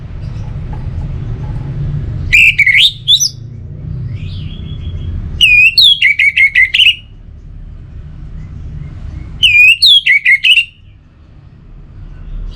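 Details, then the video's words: Orange-headed thrush, its song used to coax lazy birds into singing: three bursts of bright, slurred whistles, each a rapid string of looping notes, separated by pauses of about two seconds. Faint low hum in the background. "Obat Gacor Burung ANIS MERAH Buat Burung Yang Lagi Malas Bunyi"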